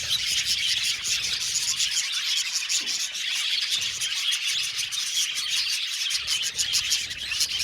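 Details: Many budgies in an aviary colony chirp and warble together, giving a steady, bright, scratchy chorus of quick tweets layered over one another.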